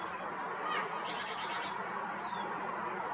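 Great tit giving thin, high whistles, a brief buzzy rattle of about five quick pulses, then sharp downslurred notes, over a steady background hiss.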